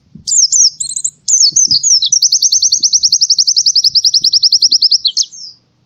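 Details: Morning song of an Oriental white-eye: brief high twittering notes, a short pause, then a long sweet whistled phrase running into an extended rapid trill of around thirty evenly repeated notes, with faint low knocks beneath.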